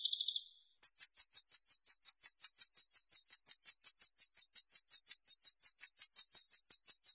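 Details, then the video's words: Purple-throated sunbird (kolibri ninja), a fluent mimic of other birds: after a short opening trill, a long, very regular series of high ringing notes, about three per second, steady throughout. "MASTERAN KOLIBRI NINJA Suara Bening Kualitas Juara"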